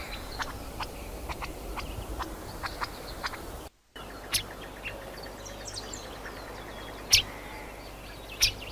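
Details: A hepatic tanager (Piranga flava) in Bosque de los Constituyentes, Rosario, Argentina: two sharp, high call notes late in the clip, with fainter scattered chirps and ticks over a steady background hiss.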